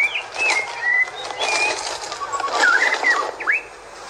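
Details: A wild white-rumped shama sings clear whistled notes, some sliding down and others sweeping up, in short phrases over a steady broadband hiss.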